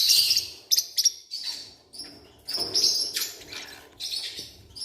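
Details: Newborn Forpus parrotlet chicks calling for food: continuous high, hissing, raspy chirps in overlapping bursts, loud and steady throughout.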